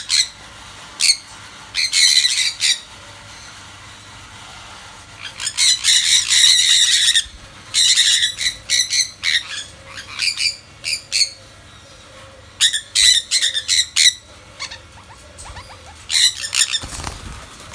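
Sun conures give loud, harsh, high-pitched screeches in rapid bursts.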